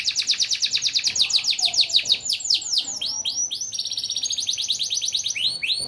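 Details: AF yellow canary singing its lively, fill-in-rich song: dense rolling trills of fast, downward-swept notes that run on without pause, switching between several note types and pitches. A faint low hum lies beneath.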